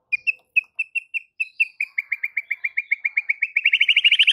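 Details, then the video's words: White-rumped shama singing to stir other shamas into song: a steady series of short sharp notes that speeds up into a rapid, rising, intensifying trill. "Murai batu ini SONTAK bikin murai lain TETAP GACOR dan NGEPLONG hanya dengan Sekali Pancingan Saja"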